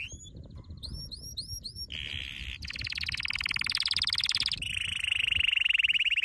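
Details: Canary training song: rising whistled notes repeated about four times a second, then a series of rapid buzzy and rattling trills at varying pitches.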